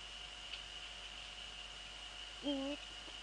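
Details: Night scene in the Netherlands, 15 February 2013, 04:40: a male Eurasian eagle-owl visiting the female near the nest gives one brief, level harmonic call late on, over a faint constant high-pitched hum.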